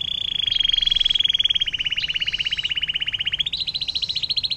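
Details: Atlantic canary song with a long 'air mancuran' (fountain water) phrase, used as tutor recording for songbirds such as magpie-robin: a fast rattling trill of rapid repeated notes held level for over three seconds, then stepping up in pitch.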